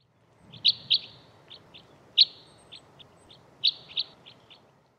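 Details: Red Crossbill, a conifer-feeding finch, giving sharp, high 'kip' calls, singly and in quick pairs at an uneven pace, with a low background rumble.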